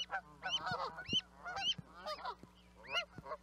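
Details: Brief burst of Canada goose honking, about six nasal, upward-inflected calls with overlapping lower cackles, over soft background hum.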